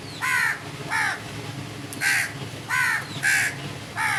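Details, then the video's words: Crows caw repeatedly, six harsh, rasping calls spaced roughly every half second to a second, with steady low background noise between them. "Crows sounds | Beautiful singing of crow birds"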